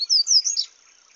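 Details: Paca capim song in the bush: a brief, loud outburst of high, downward-slurred whistled notes run closely together, then a jumbled bright chirp, ending abruptly with faint hiss behind.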